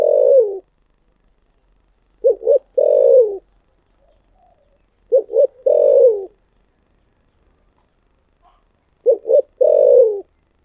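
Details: Spotted dove in the thổ sấm voice style. The end of a phrase is followed by three full coo sequences, each a double short note and a long, falling, rounded coo, spaced about three and a half seconds apart.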